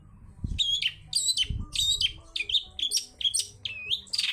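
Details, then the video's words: Long-tailed shrike (cendet) in wild-style lure song meant to provoke other birds: varied high, slurred chirps and warbles in quick phrases, some dipping and rising, with a couple of low thuds. "CENDET GACOR suara ngalas || PANCINGAN CENDET PILIS yang sulit BUNYI (SUARA BURUNG CENDET GACOR)"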